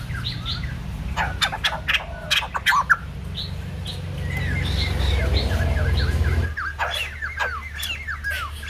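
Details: Young white-crested laughingthrush in voice training, with harsh chattering bursts in the first seconds, a hissy middle, then a quick series of sharp downslurred whistled notes near the end over low hum.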